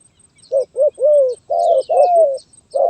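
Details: Spotted dove song of the stuttering 'gagap tindan' (sepatah) style, recorded 23 January 2022: low hollow coos, a double note then long slurred falling coos, ending on another short coo, with faint high chirps from other birds.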